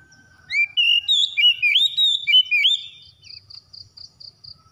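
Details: Oriental magpie-robin singing, recorded as therapy to prompt a bird that has stopped singing: a rapid string of clear, sweet whistles with upward slurs, then a run of evenly spaced high pulsing notes.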